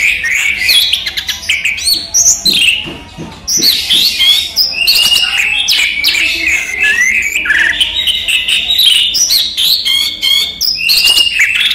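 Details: Daytime song of a caged orange-headed thrush (anis merah): long, energetic medley of squeaky whistles, harsh chattering and rapid trills, loud throughout with short breaks.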